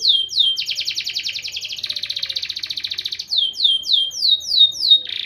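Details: Champion canary singing training song: rapid varied tours of descending whistled sweeps, a fast buzzy trill, then more slurred downward notes and a rattling phrase at the end.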